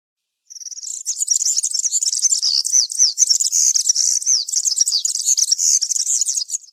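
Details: European serin singing in the country (campero) style in a forest: after half a second of silence, an unbroken high-pitched, glassy, buzzing jingle of quick chirps and short slurred notes continues throughout.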